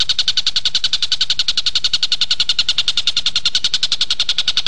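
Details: Kingfisher (tengkek buto) recorded as training material for caged magpie-robins, giving an unbroken string of sharp, buzzy chattering notes, about three or four each second, steady in loudness throughout.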